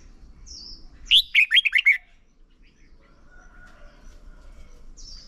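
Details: Red-whiskered bulbul, a decoy bird singing contest-style song used for voice training and to stir other bulbuls to sing; one brief loud phrase of about six quick, warbled notes, then near-quiet hiss with a faint high note.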